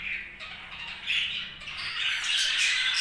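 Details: Happy budgerigar chatter: steady high scratchy warbling and squeaky chirps, growing a little louder and brighter toward the end.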